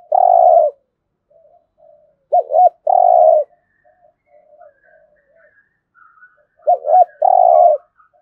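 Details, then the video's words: Spotted dove cooing in competition, Đồng Nai, Vietnam: loud long coos and stuttered double notes in three bursts, while softer cooing from other doves runs underneath. "cu gáy thúc gù kinh thiên động địa vang cả xóm Đồng Nai, cu gáy gù đấu"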